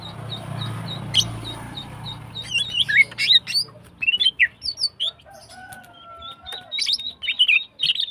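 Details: Singing female greater green leafbird in breeding condition, morning: a low hum with short evenly repeated ticks opens, giving way to varied sharp chirps, slurred whistles and rising notes, plus a long level whistled tone in the middle.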